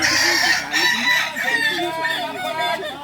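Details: At a crowing contest in Ampang Kualo, Solok, a balenggek rooster gives a long, multi-stepped crow with strong harmonics, its pitch wavering up and down across three seconds, with faint voices behind.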